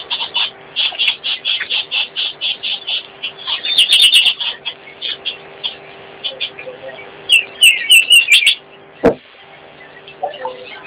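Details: Common greenshank calling: a fast series of clear, ringing notes repeated evenly, roughly four to five per second for several seconds. Later come brief high chattering bursts and other bird calls, with a sharp knock near the end.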